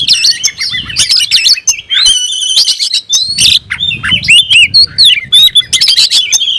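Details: Singing oriental magpie-robin (kacer), described as searching for a rival: fast jumbled whistles and harsh squawks, a steady ringing note mid-phrase, then sharp repeated rising and falling chirps.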